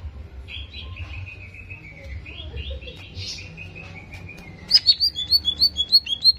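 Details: Greater green leafbird song meant to provoke aggression: a long wavering high whistle with small inflections, then a sudden bright series of repeated sharp chips, about ten in quick rhythm, over low background rumble.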